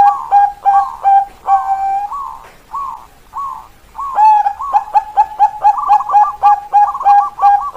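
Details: Bangkok-type zebra dove singing a lure song for prompting lazy doves to sing: clipped 'keok kok kok kok' cooing notes, spaced phrases early, then a fast, steady run of short repeated coos.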